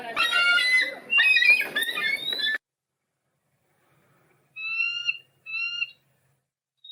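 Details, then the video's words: Bald eagle's real call, a cackling laugh-like chatter: a fast, high, squeaky run of piping notes, then after a pause two clear, thin, slightly falling whistles. "Bald Eagle Sound"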